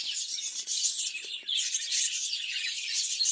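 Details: Budgerigars kept in a breeding cage give a thick, unbroken wash of shrill twittering and chirping, with a brief dip near the middle before the busy chatter swells again.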